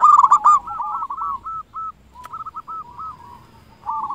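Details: Zebra dove, a local Indonesian perkutut kept as a lure bird to prompt quiet doves to sing: a loud burst of rapid cooing notes, then softer repeated short coos trailing off, with a final louder phrase.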